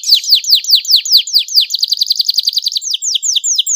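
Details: Canary singing to encourage other canaries to sing: a run of sharp downward-sweeping whistled notes about five per second, switching to a faster chattering trill, then slower descending sweeps again.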